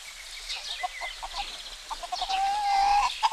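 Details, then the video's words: Chickens clucking on a spring village morning in Greece, with short repeated clucks and a drawn-out crow-like note near the end, amid other birds chirping in the background. "Roosters crowing & chickens clucking"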